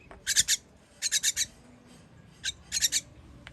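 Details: Young birds calling as they are fed on 21 June 2023: three tight groups of loud, hissing rasps, each group of three or four notes, separated by brief quiet gaps.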